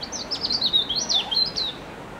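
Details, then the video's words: A robin singing in an apple tree: a rapid, high, liquid warble of thin sliding notes and short trills, with soft background hiss. "Robin singing"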